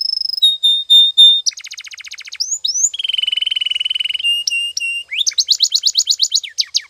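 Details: Canary song for training, mixing steady whistled notes, a dense buzzy roll, a low rolling trill, clipped repeated tones and a quick chirping run.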